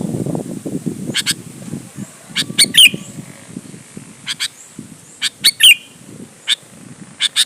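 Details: Sooty-headed bulbul song used as a lure to provoke other bulbuls to answer and sing: short bright chirps and sharp slurred notes in brief bursts every second or so, over a low murmuring background.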